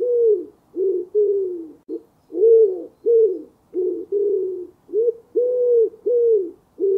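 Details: Common wood pigeon, a wild forest pigeon, cooing: soft, low hooting coos in grouped phrases, each note a short rounded rise and fall, repeated with brief pauses; no other sounds.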